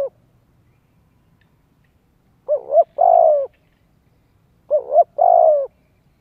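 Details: Spotted dove cooing for luring wild doves and voice training of young birds: two phrases, each a quick doubled low note followed by a long, falling, resonant coo, separated by about two seconds of quiet.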